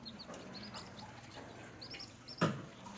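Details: Newly hatched baby chickens kept while feeding and playing; a few short, high, falling peeps come in small bunches over a low hum, with a sharp knock near the end.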